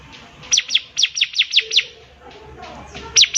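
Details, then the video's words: Bar-winged prinia singing a fast run of seven piercing, downward-sliding high notes. A quieter pause with faint low sounds follows, then two more loud notes. Used as a tutor recording for young birds. "CIBLEK GACOR"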